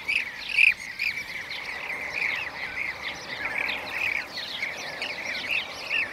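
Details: Blue-cheeked bee-eaters in Şanlıurfa, Turkey, 2016. A loud opening note is followed by a steady jumble of rolling, trilled calls from several birds.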